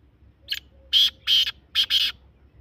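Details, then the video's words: Black francolin's grating call: one brief clipped note, then two drawn-out buzzy rasps and a rapid closing pair of harsh notes, loud and clear against a quiet background. "Kala teetar awaaz | کالا تیتر آواز | Black francolin voice | Teetar ki awaz"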